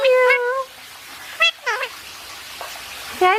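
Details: Indian ringneck parakeet talking while basking, a wavering sustained harmonic phrase followed by short rising and falling squeaky syllables, then a final upward-sweeping note after a quiet stretch.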